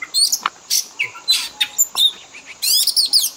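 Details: Oriental magpie-robin training song for pet birds: varied bursts of high chirps and whistles, scratchy broadband notes, and a fast buzzy trill near the end, with short pauses between phrases.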